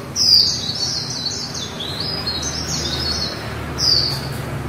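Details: A female white-eye delivers a continuous líu warble of high whistled notes that rise and fall, then ends with a sharp descending whistle.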